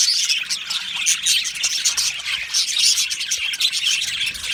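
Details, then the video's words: Many budgerigars chatter at once in an aviary, producing a constant bright wash of thin chirps, trills and squeaky warbles that rises and falls slightly in loudness. "Australian Budgie parrot chirping sounds"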